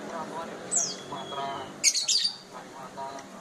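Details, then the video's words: Bar-winged prinia giving short, high, scratchy chirps and a sharp downslurred note, with a burst of buzzy, harsh notes in the middle; low background murmur. "prenjak pari bar-winged Prinia"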